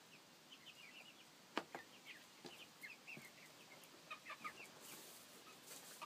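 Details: Seven-week-old chicks of mixed breeds, thirteen in all, Copper Maran, Welsummer, Black Ameraucana and Barred Plymouth Rock, healthy, noisy and happy: soft scattered high peeps and chirps over a hissy background, with a few sharp knocks.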